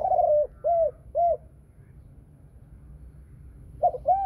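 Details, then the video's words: Spotted dove, a Thai-Malaysian type bird kept for calling, with the prized thunder-voice style. Three loud, arched coos in quick succession, a pause, then two more coos near the end, over a faint low hum. "Chim cu gáy giọng thổ sấm chuẩn"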